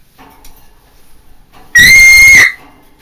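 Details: A pet macaw gives one intense, shrill scream, flat and sustained for under a second with rich harsh overtones, set against a quiet indoor background.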